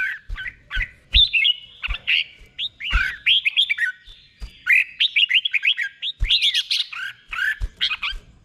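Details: Caged red-whiskered bulbul performing the doubled 'berl' song, slow and distinct, as a copying model. Lively bursts of whistled, looping notes come in clusters of three to six, with soft clicks between them and brief gaps.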